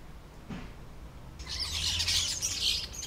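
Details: Juvenile common starlings showing traces of adult feathers, Southport, Lancashire, July 2011: a dense, harsh, buzzy chatter of overlapping rasping calls starting after a quiet second and continuing to the end.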